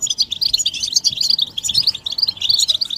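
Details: European goldfinches in a group give dense, fast twittering, used to stimulate males to sing and break their silence, with mating and readiness calls: continuous high tinkling chirps and trills overlapping without pause.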